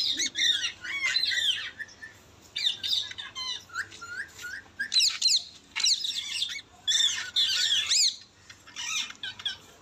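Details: A pet Indian ringneck parrot (rose-ringed parakeet) in natural talk gives bursts of shrill, squawky chatter with rising and falling notes, repeated every second or two against a quiet background.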